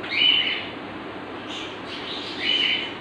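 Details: A male Indian ringneck parakeet (rose-ringed parakeet) gives two short, harsh, raspy bursts about two seconds apart, with a faint hiss between them.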